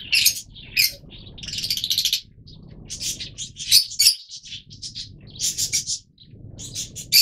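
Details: Repeated harsh, high-pitched chattering from yellow-mutation Fischer's lovebirds, several birds calling in quick irregular bursts over a low background murmur.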